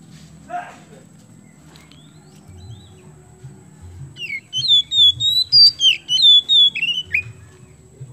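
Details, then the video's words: Oriental magpie-robin song in full, lively voice, meant to stimulate other birds to sing: after quiet hum and a brief click, a run of loud, clear whistled notes, rising and falling, repeated in quick succession. "KACER KEMBEN GACOR MAKSIMAL UNTUK PANCINGAN"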